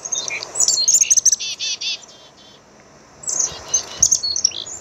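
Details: Black-capped chickadee uttering high, rapid chips that lead into several buzzy, nasal dee notes, a pause, then another burst of high twittering notes.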